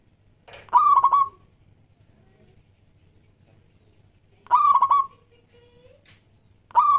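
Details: Local zebra dove song meant to draw in other doves: a rising start running into a rapid stuttered trill of soft coos, repeated about every four seconds, with a quiet low hum between phrases.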